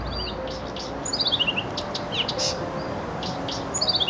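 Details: A reed warbler singing in bushes at the Novosibirsk Dendropark, Siberia, gives quick bright chirps and two fast falling runs of high notes, over a steady low rumble of background noise.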